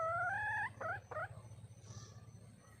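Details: A wild red junglefowl hen calls for a male. One long, nasal, slightly rising whine is followed by two quick upward-bending notes, then quiet with faint low background hum.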